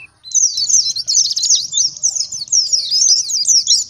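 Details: Forest-style ngalas song of an oriental white-eye, used as a lure to make other white-eyes respond: sustained, very high chattering warble of quick slurred chirps with hardly a break.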